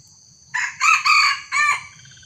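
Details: Harsh three-part crow of a young wild junglefowl facing a small decoy rooster in Indonesia, clipped opening, extended grating middle, short falling close, with a low steady rumble underneath.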